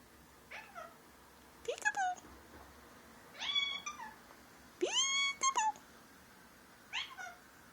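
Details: A male Indian ringneck parakeet, a talking house pet, repeats learned phrases such as peek-a-boo, give me a kiss and thank you. Around six squeaky, harmonic spoken syllables arrive in uneven bursts, some gliding upward, over a faint indoor background.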